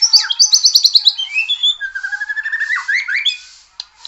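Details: White-rumped shama singing: a rapid run of high sharp notes, then a falling whistle and a fast rising series of slurred whistles, ending in a few scattered chirps.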